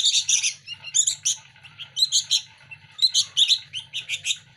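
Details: Local sooty-headed bulbul chicks begging noisily while competing for hand feeding, a daily routine: bursts of harsh, buzzy chattering chirps in quick clusters, repeated several times a second with short pauses, over a low steady hum.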